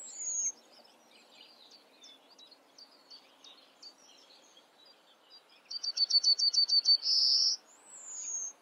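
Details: Yellowhammer singing: a quick run of about eight short, evenly spaced chipping notes, then a drawn-out buzzy closing note and a thin falling whistle. Faint scattered high chirps come earlier over a quiet background.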